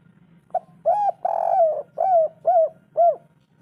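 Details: Spotted dove in the local three-note kuk 3 style, used to make lazy birds call: a short soft note, two arched coos, a long drawn coo, then three quick arched coos, with a low hum beneath.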